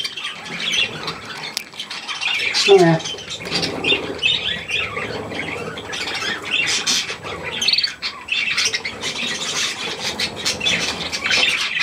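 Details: Young and adult budgerigars with millet, 3 May 2024: nonstop squawking chatter from many birds, one sharp descending squawk near the start, and occasional brief rustles like wing flutters.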